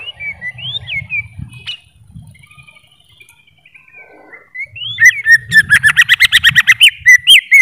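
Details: Greater green leafbird singing: a few looping whistled phrases, a quiet stretch, then a rapid series of sharp, rising and falling chattering notes repeated several times a second.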